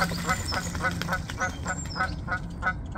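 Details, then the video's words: Geese honking in the background while a swan feeds on seeds: a fast series of short nasal honks, about three each second, with small birds chirping faintly high above. "geese honk in the background"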